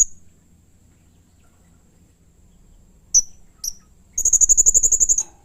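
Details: Blue-crowned hanging parrot in harsh, aggressive calling mode: after a quiet pause, two separate sharp high chips, then a rapid, buzzing trill of about eleven piercing notes lasting around a second.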